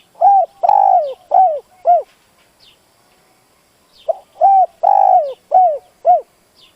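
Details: Decoy spotted dove cooing a challenge to stir wild doves: two repeated phrases of four to five mellow, low coos with a long central note, separated by about two seconds of quiet.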